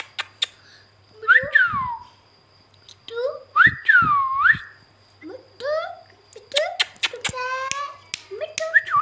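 A rose-ringed parakeet gives arched whistles that rise and fall, then a rapid run of raspy, speech-like syllables mixed with sharp clicks, indoors.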